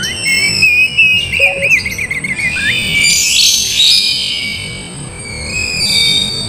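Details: Oriental magpie-robin, used as a lure to provoke a lazy bird into singing and fighting: a quick run of high whistled trills and warbles, then a smeared rising sweep above, over a faint low hum.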